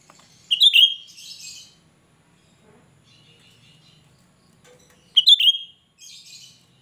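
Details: Cucak rante, a young untrained bird in full voice, giving a shrill song used as a lure for other cucak rante: two loud, piercing phrases about five seconds apart, each a sharp high note followed by a softer buzzy trailing chatter.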